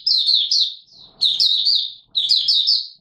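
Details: Kept white-eye, Mata Puteh Raja, singing openly in warm humid weather on 20 March 2022: three loud bursts of rapid, high, slurred twittering notes, each lasting about a second, separated by short pauses.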